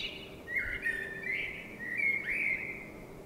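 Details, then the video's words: At night in springtime a blackbird delivers a continuous flowing whistled phrase, mellow and slightly wavering, rising into scratchy high notes near the end, with faint steady hum underneath. "Blackbird Singing🎶 | Sound of a Blackbird"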